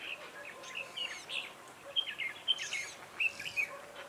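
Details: Red-whiskered bulbul used as a decoy to lure wild birds into a trap, singing short bright whistled chirps and warbled notes in quick bursts, some phrases rising and falling, with a faint steady background hum.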